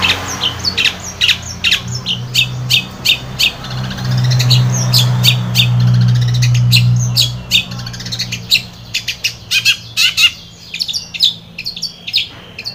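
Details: Long-tailed shrike singing, used as a lure to set a stressed, silent shrike singing. Rapid harsh chattering notes and sharp clicks come in quick bursts, pausing briefly midway, over a steady low hum.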